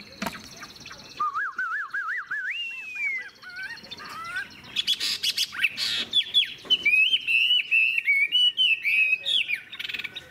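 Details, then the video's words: Wild-caught old Chinese hwamei singing: a wavering whistled trill climbing in pitch, brief pauses, then loud choppy phrases of repeated upslurred whistles. "Họa mi già rừng hót hay"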